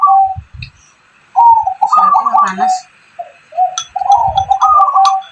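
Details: Zebra dove and spotted dove hybrid cooing, used as a lure to prompt other doves to sing; mellow trilled coos in two bursts separated by a pause, with faint human voices and low thumps.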